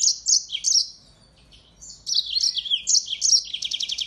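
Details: Yellow-fronted canary, an African singing finch, singing actively as a tutor for white-eyes: two bursts of rapid high twittering with varied chirps and fast trills, separated by a short pause.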